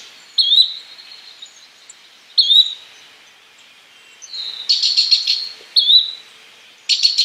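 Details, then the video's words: A Yellow-bellied Flycatcher gives short, high, rising whistles every couple of seconds, with bursts of rapid buzzy chatter in between. "Yellow bellied Flycatcher Bird Sound"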